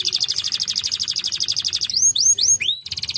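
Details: Canary singing a fast pulsing high trill, broken by a few rising-then-falling swooped whistles, then back into the rapid trill.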